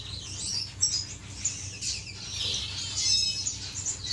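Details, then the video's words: Finches courting in an aviary, recorded 10 May 2015, giving rapid high chirps, buzzy trills and sharp whistled notes in an overlapping chorus above low background hum. "غزل بين طيور الفنش داخل مطير"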